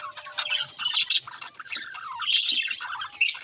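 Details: A short stretch of budgerigar chatter, with scratchy high squawks and a wavering warble that slides downward, then a sharp loud chirp at the end.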